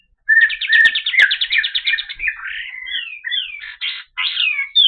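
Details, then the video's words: White-eye, known locally as kapas tembak, in a clear master recording: a rapid buzzy trill of repeated notes opens, then varied chattering whistles and short slurred phrases follow with brief pauses, with a couple of sharp clicks. "Masteran Suara Burung Kapas Tembak Jernih"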